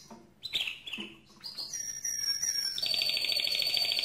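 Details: Mosaic canary song: a few chirps, sliding whistles falling in pitch, then a steady fast pulsing high trill held to the end.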